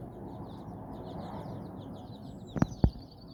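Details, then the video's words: Hen with her nine chicks on a walk in Bizkaia, Basque Country; faint, high, falling peeps from the chicks run continuously, then two sharp knocks near the end against low background noise. ""Amatxu" gallina con sus nueve polluelos"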